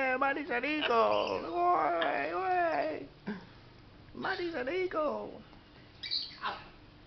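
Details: A pet macaw playing with its favourite towel gives harsh, wavering, speech-like vocalizations in three bursts, rising and falling in pitch, with brief quiet gaps; its sex is uncertain, and the owner now suspects a male.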